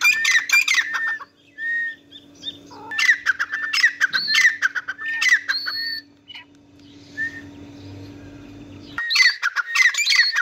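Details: A pair of grey francolins in Pakistan calls with loud, shrill, ringing phrases in quick bursts, pausing between bouts, over a steady low electrical hum.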